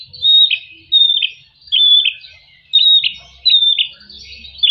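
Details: Singing white-rumped shama, played to stir quiet birds into song, gives a steady series of bright whistles, each sliding down into a rougher lower note, about one phrase per second over a faint low hum.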